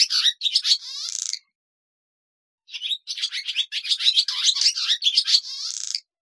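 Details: Barn swallow (Hirundo rustica) giving rapid, high, scratchy twittering calls in two bursts split by about a second of silence, with chattering notes and dry rattles running together.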